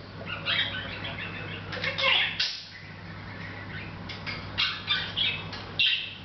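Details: Hahn's macaw (red-shouldered macaw) on 10 August 2012, chatting without noticing the camera: scratchy, harsh chattering bursts at an irregular pace, with brief pauses between phrases, over a steady low electrical hum.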